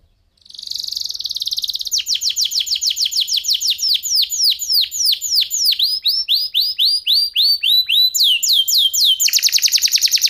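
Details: Canary of F1SF type singing masteran, a tutor song for shamas and beginner canaries, described as clear crystal voice with unique cengkok. A steady high buzz leads into long, regular series of swooping downslurred notes, ending in a dense trill.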